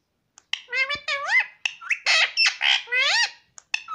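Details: A pet parrot talking: a quick string of squawky, speech-like syllables that rise and fall in pitch, with brief pauses between bursts. No other sounds are clearly heard.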